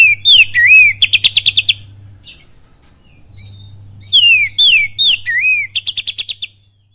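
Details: Lure song of an oriental magpie-robin, 'kapas tembak' style. Looping phrases of loud swooping whistles are each followed by a rattling burst of about eight quick buzzy notes. The pattern is heard twice over a faint low hum.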